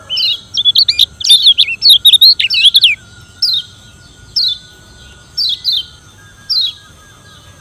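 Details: A Lemon-bellied white-eye from Lombok gives a challenging call meant to provoke rivals: a quick, high twittering burst of chirps for three seconds, then brief sweeping phrases about once a second, over a faint steady electronic whine.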